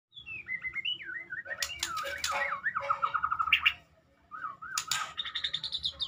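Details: Medan white-rumped shama singing a rich, varied whistled song: gliding wavering notes, rising and falling loops, harsh buzzy bursts, a brief pause, then a high rapid trill, with low background hum.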